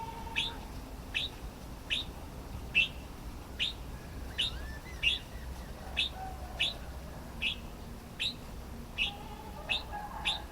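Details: Red-whiskered bulbul giving a steady run of short, clipped chirps spaced under a second apart, with faint softer bird notes and a low background hum.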